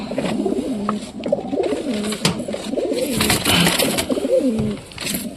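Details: A pigeon newly arrived at a home coos with others in soft, low, throaty phrases that overlap and rise and fall.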